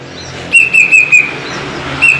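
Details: Captive plaintive cuckoo whistling four bright, flat-pitched notes in rapid succession, then a single matching note after a short pause, against a low humming background.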